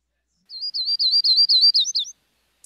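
Yellow-rumped Warbler singing a quick, loose trill of about nine high, slurred notes that lifts slightly at the end. No other sounds are heard.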